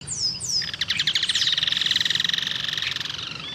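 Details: Bird chirping: two high descending whistles, then a rapid run of bright repeated chirps, about three per second at first and speeding into a dense trill before fading.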